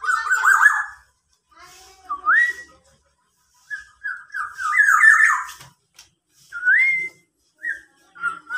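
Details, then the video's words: Tame local black-naped oriole, a keen singer, imitating a police car siren. Loud fluty whistles rise in steps and upslurs, phrases broken by short silences, with harsher squawk-like notes mixed in. "kepodang lokal berbunyi mobil polisi"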